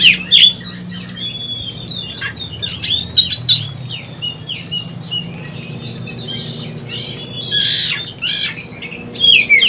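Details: Young oriental magpie-robin learning to sing: a rambling, varied run of high whistles, slurred notes and buzzy chirps, uneven in rhythm, with a low hum underneath.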